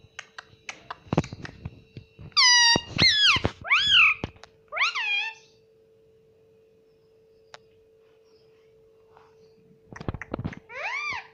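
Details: Talking parrot kept as a pet, mimicking "mummy" and "papa": a cluster of bright, arched syllables midway, then a long near-silence, then another short phrase, with a steady low hum and scattered clicks.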